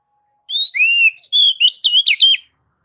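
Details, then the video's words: Ngeplong-style song of an oriental magpie-robin, played as a master recording to encourage singing: long clean whistles sliding upward and downward, followed by a rapid string of varied whistled notes. "MASTER DASAR KACER NGEPLONG MEMANCING KACER AGAR CEPAT BUNYI GACOR Birds Song Kacer"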